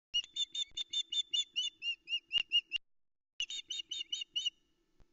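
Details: Female osprey at a nest in Arkaig Community Forest, Loch Arkaig, begging for fish after the male delivers a headless trout, early morning, 13 July 2020, nest camera; a rapid series of clear, high, whistled chirps, a brief pause, then more.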